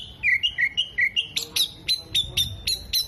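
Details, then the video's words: Oriental magpie-robin song with open tail, copying kolibri, jenggot and lovebird calls: a run of clear, slurred whistles rising step by step, then evenly spaced sharp high chips about four per second. "KACER GACOR BUKA EKOR TEMBAKAN KOLIBRI, JENGGOT DAN LOVE BIRD"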